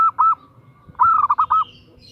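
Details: Female zebra dove calling a male: two clipped coos, then a loud rolling phrase of five quick bubbling notes. A faint high bird chirp follows at the end.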